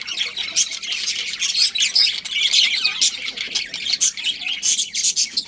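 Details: Budgerigars in a colony make harsh squawking chatter with scattered short sharp chirps, busy and overlapping throughout.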